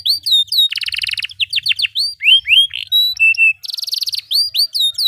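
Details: Lively canary song used as a master for young canaries learning: rising whistles, a buzzy trill, downslurred sweeps, level piping notes, then another burst of buzzy trilling.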